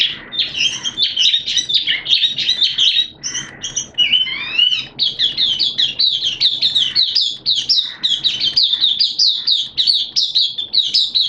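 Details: Caged hobby Oriental white-eye singing openly ('buka') on 11 September 2022 amid wet, erratic weather: a long, nearly unbroken high twittering warble with a brief lower slurred phrase midway.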